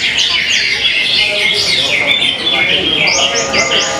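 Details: Greater Green Leafbird (cucak hijau), a competition bird singing at the WINKIPUCUP contest on Sunday 16 July 2023, where it placed 3rd runner-up. Dense, rapid warbled phrases give way to four repeated high whistled notes near the end, over crowd noise.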